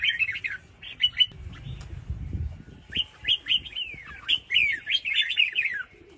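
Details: Female red-whiskered bulbul calling to rouse males into song. Two runs of quick, sliding, chirpy whistled notes, each dropping at its end, with a faint low rumble between them.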